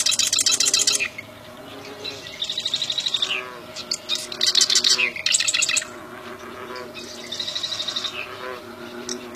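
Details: Loud, buzzy song of a wild bar-winged prinia: rapid high rattling bursts of roughly one second, repeated several times with short gaps, plus faint lower notes in the background.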